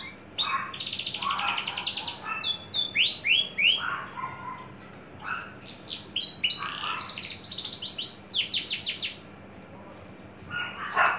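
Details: Tame caged adult male Javan bush lark in early breeding condition, singing loud rattling trills, downslurred whistles and mixed chattering notes, with a quieter pause near the end.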